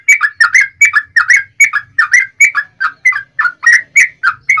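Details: Yellow-vented bulbul 'ropel' lure song for provoking other bulbuls: evenly paced, bubbly two-note phrases repeated about three times a second, with a faint low hum beneath.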